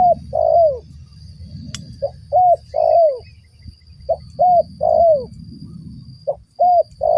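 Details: Spotted dove used as a lure call for trapping its own kind. It repeats three-part cooing phrases of two short notes and a longer downslurred coo, with pauses between phrases over a low background hum.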